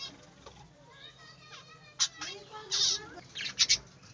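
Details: Budgerigars in a small aviary chattering: a run of thin harmonic chirps and quick downward-sliding whistles, then loud scratchy bursts and clicks in the last two seconds, over a faint background hum.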